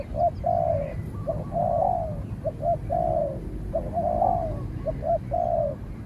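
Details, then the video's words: Spotted dove coos in a contest between a decoy bird being trained and a shy wild dove; repeated phrases of one or two short notes then a long slurred coo, about one per second. "เสียงนกเขาใหญ่ ต่อ นกเขาใหญ่"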